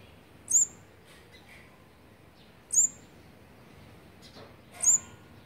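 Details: Olive-backed sunbird at a fourth-brood nest on feeding day 18, 8 March 2020: three very high, thin, sharp chirps, one about every two seconds, over a faint background hiss.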